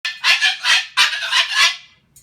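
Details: Pet Moluccan cockatoo, angry after its kitchen-table nest of shredded fruit and vegetables was cleaned up, gives four loud, harsh, broad screeches in quick succession, each about a third of a second, then a faint short note.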